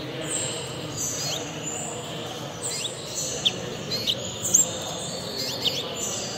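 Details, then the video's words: Goldfinch × house finch hybrid, shown as best hybrid at a song bird association show in Malta, November 2022; sustained high thin whistled notes and sharp chirps over a loud murmur of crowd noise and indoor hall ambience. "Best Hybride Chardonneret X Roselin du Mexique"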